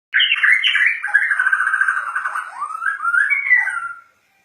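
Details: Agitated Bornean white-rumped shama singing: a loud, rich run of varied whistled and warbled phrases, sliding up and down in pitch with rapid rolled notes in the middle, lasting about four seconds before stopping.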